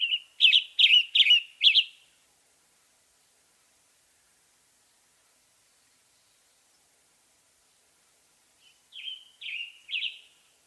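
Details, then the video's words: Western tanager singing two bursts of hoarse, burry phrases, four to five quick notes each, separated by a long silent pause; phrases slurred and rough-toned. "Western Tanager Bird Song"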